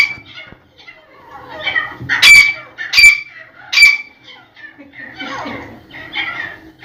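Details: Black francolin (teetar), dakni, sindhi, irani, desi or kala type: three loud, harsh strokes with a ringing tone, evenly spaced under a second apart, between softer scratchy, rasping notes.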